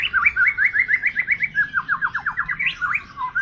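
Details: White-rumped shama singing strongly and persistently: a fast run of repeated slurred whistled notes, around five a second, shifting into a lower descending series and ending with a rising whistle.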